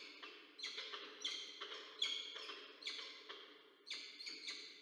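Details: Pair of peregrine falcons meeting at their nest, Orange, New South Wales, Australia, 6 April 2024, nest-camera recording. A steady series of scratchy, ringing notes comes roughly twice per second, with slightly downward-sliding tones.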